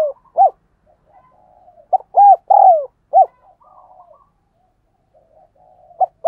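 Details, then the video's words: Spotted dove making 'thúc gù' urging coos, used to train decoy doves and set wild doves cooing: scattered short hooting notes and a cluster of three coos, with soft low warbling in the pauses. "Tiếng Chim Cu Gáy Thúc Gù Dùng Tập Mồi, Bổi Nghe Xiêng Gáy"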